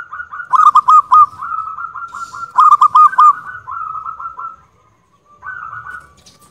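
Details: Local zebra dove singing loudly: rapid bursts of low, soft, staccato cooing notes running into rolling phrases, repeated in two main bouts with a brief pause before a shorter closing phrase; faint higher clicks over the top.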